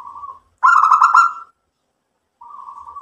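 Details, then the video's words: Local zebra dove in song, cooing to get others to answer: a soft trilled coo, then a loud, fast, bubbling rolling phrase, then another quiet trill after a pause. "PERKUTUT LOKAL GACOR mbekur Ngerot memancing EMOSI jadi NYAUT BUNYI"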